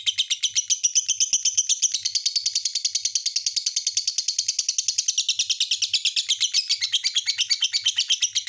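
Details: A lovebird chatters continuously in shrill, grating bursts, about two notes a second, with a brief buzzy, smoother phrase partway through before the squeaky twittering resumes. Light low taps sound in the background.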